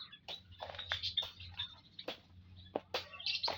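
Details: Several munias in an aviary, 19 April 2025, calling with rapid high-pitched chirps and abrupt sharp clicks, overlapping irregularly; a soft low hum runs underneath.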